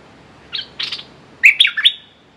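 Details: Caged red-whiskered bulbul working as a decoy for a territorial wild bird. Two short chirps are followed by a louder, warbling phrase of three or four ringing notes that falls at the end.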